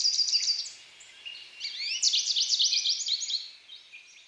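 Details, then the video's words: American goldfinch song: a lively, fast tumble of high twittering and slurred notes, rising and falling in pitch, running almost without a break for about four seconds over quiet background noise. "American Goldfinch - How does the American goldfinch sing?"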